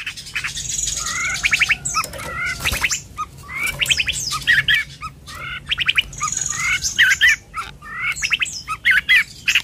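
Long-tailed shrike in lively song: harsh squawks mixed with rapid buzzy chatter and sharp whistled notes, in quick repeated bursts with short pauses between.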